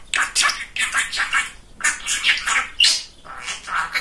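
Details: Pet male budgerigar, very chatty, talking indoors: short raspy speech-like syllables in quick bursts, with brief pauses between phrases, in a small room.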